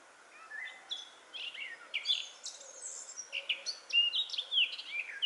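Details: Eurasian blackcap singing in full voice in Metbroekbos woodland near Smeerling, Westerwolde, in early April 2017: a rapid, varied warble of high chattering notes building into clearer, fluting whistles, over a soft background hiss.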